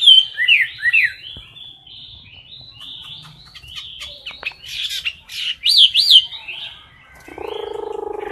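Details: Caged Chinese hwamei in competition singing, recorded close up: a rapid run of loud, varied whistled phrases with slurred rising and falling notes, some sharp high accents, ending in a low buzzy droning sound.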